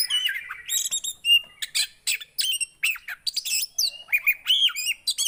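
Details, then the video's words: Javan white-eye song for prompting a silent bird to sing: bright twittering chirps mixed with short, looping whistled phrases, delivered in quick bursts. "Ampuh Buat burung poci yg Macet!"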